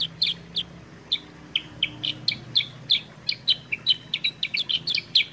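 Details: Kutilang sutra, the sooty-headed bulbul, on a prompting and tutor track: lively, uneven strings of sharp high chirps that grow denser toward the end, with a soft low hum underneath.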